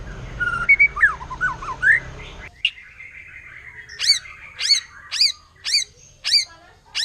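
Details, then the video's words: Wild forest white-rumped shama singing 'nembak', said to provoke other shamas: soft looping whistles over low background noise, then loud high whistled notes with sharp downward flicks, spaced about every half second. "Murai Batu Hutan Kalau udah Nembak Bikin Emosi Burung Murai Lain"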